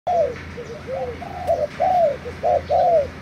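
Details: Spotted dove decoy bird from Thailand, recorded 3 March 2018, giving low, hollow coos in a phrase of short and longer rounded notes, the later ones louder and drawn out, with steady low background hum.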